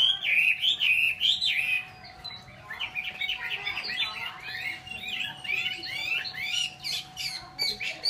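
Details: Chinese hwamei opening with strong whistled phrases, then switching to a busy jumble of quick chirps, trills and mimicking notes, before returning to loud whistles; a faint steady hum runs throughout.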